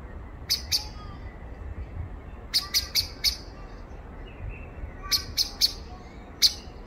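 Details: A common blackbird (Turdus merula) gives sharp, high ticking notes in quick runs of two to four, repeated every couple of seconds against soft background hiss.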